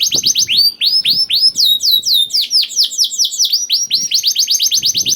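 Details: Young canary song used to draw quiet canaries into singing. It moves from repeated down-slurred notes to a scratchy, varied middle phrase and ends in a fast, even trill, with faint low clicks.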